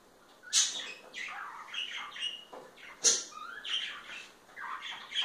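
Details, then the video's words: Pair of parakeets, kept as pets, showing affection to each other indoors: harsh squawks at about one and three seconds, with rapid warbling, rising and falling chirps between them in a small room. "Mimos entre periquitos"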